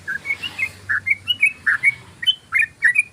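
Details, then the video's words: Brief burst of yellow-vented bulbul 'ropel' song meant to lure birds: loud, slightly hoarse whistled notes, roughly four a second, some dropping in pitch, over a soft low hum. "ROPELAN BURUNG TRUCUK PANJANG❗❗❗SUARA BURUNG TRUCUKAN ROPEL"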